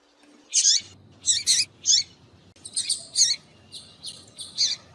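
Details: Calling female double-collared seedeater, used to excite males: harsh high chirps in pairs and threes, grouped bursts with short gaps, fairly irregular rhythm.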